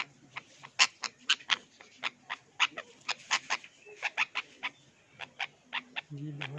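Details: Pet parrots indoors, an Indian ringneck and an Alexandrine parrot playing with roses while an African Grey in the background makes funny noises; rapid series of short, harsh clicking squawks, about three to four per second, with a low hum near the end.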